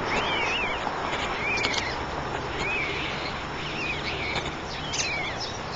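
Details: White stork nest holding three chicks: thin, arched whistles that bend up then down, repeated about once a second over a steady hiss of background noise.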